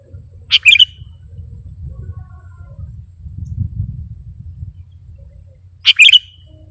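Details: Sooty-headed bulbul used as a lure, giving two short, sharp twittering phrases about five seconds apart, with a low droning hum in between.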